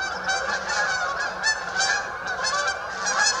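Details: Canada geese flocking at St Anne's Lagoon, with clear nasal honks standing out above the crowd roughly every half second against a background of many more calling birds.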